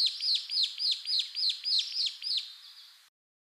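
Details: Brown-eared bulbul, Ryukyu or Ishigaki subspecies, wild in Okinawa and Ishigaki, Japan, giving a fast, even series of about nine piercing downslurred notes, roughly three per second, ending abruptly.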